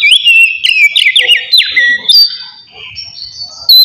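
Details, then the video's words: Oriental magpie-robin, kept songbird, in relaxed full song for provoking breeding drive: loud whistled phrases with repeated downward-swooping slurs, then softer steady high tones fading out. "TERAPI AWAL KACER NGEPLONG SANTAI COCOK BUAT MANCING EMOSI DAN BIRAHI AGAR KACER CEPAT GACOR"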